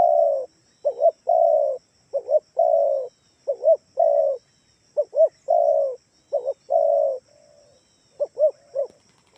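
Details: Kalimantan-type spotted dove giving a lure call to make other doves respond: rhythmic low cooing, short paired notes alternating with longer coos, many phrases over nine seconds, faint quiet background.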